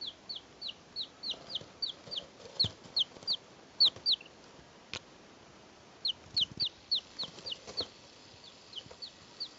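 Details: Three chicks, two days old, recorded in 2012, peeping busily: quick, high, downslurred cheeps in two long runs with a brief lull between, some louder and overlapping, plus scattered taps and knocks.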